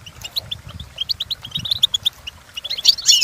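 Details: European goldfinch song used for training captive birds: a quick run of short bright chirps and twitters, building at the end into a dense burst of loud, buzzy, tangled notes.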